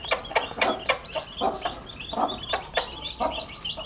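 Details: Several young chicks peep continuously in high thin notes that overlap into a steady chatter. Soft dull taps punctuate it every half second or so.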